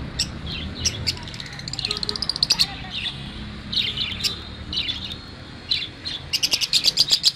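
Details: Lovebird, a small social parrot, giving shrill, high chirps in quick clusters about once a second, finishing with a fast run of sharp repeated chirps over a low background hum.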